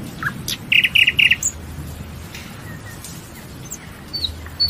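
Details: Nightingale song: a burst of three loud, rapidly repeated bright notes, preceded by a short single note and followed by sparse, faint high chirps over a quiet natural background.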